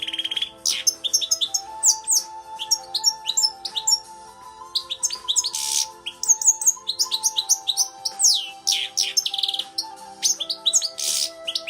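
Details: Captive, tamed European goldfinch from the Netherlands, 2017, being trained to sing in British finch style from a CD. Dense, fast twittering of high, sharp chirps and short buzzy trills, with steady low tones held underneath throughout.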